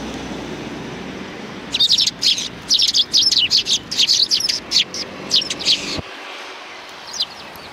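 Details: Sparrows behind a civic cultural hall on 17 January 2020 break into a lively, rapid series of sharp chirps lasting about four seconds, then fall quiet with a dull thud.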